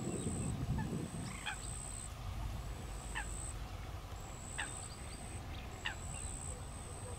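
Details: A watchful female common pochard with ducklings feeding on water insects. Short sharp calls come at uneven intervals of about one second, along with a low rumble at the start and a recurring high whine.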